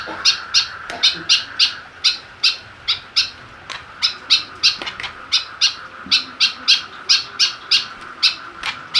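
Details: White-breasted woodswallow, a kept bird provoked into aggression with a plastic bottle placed for it to attack, giving rapid harsh chirps in quick series, about three per second, over a steady hum.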